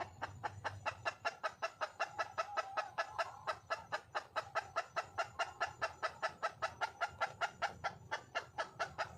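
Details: A wild junglefowl hen calls to attract a male with rapid, even clucks about two and a half times each second. The series runs unbroken for nine seconds, with a faint low rumble underneath.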